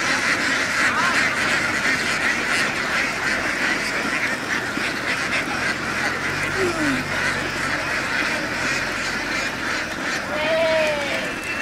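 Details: A large flock of laying ducks in Vietnam rushes across a field and onto a boat, filling the air with unbroken raspy quacking; near the end a few clearer downward-sliding calls stand out from the mass.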